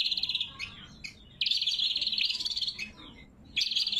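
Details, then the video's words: Actively singing greater green leafbird, recorded clean and natural as a lure and training song: fast, buzzy, trilled bursts broken by short gaps and a few thin upslurred notes, then a long, rolling, chattering phrase. "Suara Burung Cucak Kombo Gacor | Masteran & Pikat Cucak Kombo"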